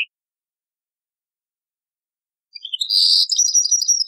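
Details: European goldfinch from an old cassette recording: long silence, then a short burst of fast, high twittering and buzzy notes.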